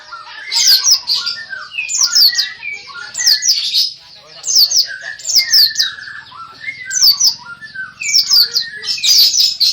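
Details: Greater green leafbird in full song, a busy continuous stream of varied high chirps, slurred whistles and lower warbled notes, delivered in rapid repeated phrases.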